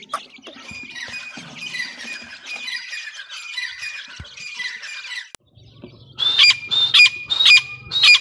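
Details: Grey francolin chicks being fed. A soft, busy chattering comes first, then a short silence. After that, a run of loud, harsh squawking calls with whistled overtones repeats rapidly.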